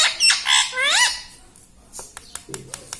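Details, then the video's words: Pet talking parrot kept at home, said to mimic words such as "mummy" and "mitthu": a second of harsh, harmonic squawks with swooping upward-curving notes, then quiet clicks and light tapping in a small room. "Bolne wala tota - tota talk - mummy bolne wala mitthu - talking parrot"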